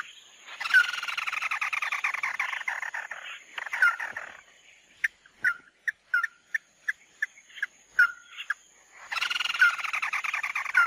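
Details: Mắt Đỏ bird song, a lure recording: long fast rattling chatter around a steady whistled tone, then a string of short sharp notes every half second, then chatter again; a thin steady high whine runs throughout.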